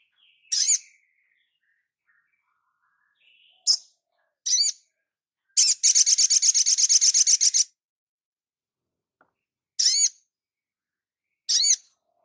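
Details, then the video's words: Crimson sunbird master recording meant for training cage birds: scattered shrill, high chirps, then a two-second rattling trill of fast, evenly repeated buzzy pulses, followed by more single piercing notes, background silent. "Dasyatnya MASTERAN INI ‼️SOGON LANGSUNG NGLEPER ‼️"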